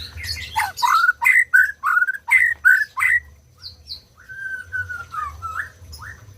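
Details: {'caption': 'A white-rumped shama sings, played to stimulate silent birds: about eight strong, rhythmic downslurred whistles, then softer sliding whistles and short high notes.'}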